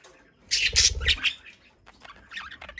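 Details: Two pet budgerigars chattering to each other in everyday 'budgie talk' conversation: a loud burst of harsh, scratchy squawks and grating notes, then softer quick warbling chirps and twittering toward the end.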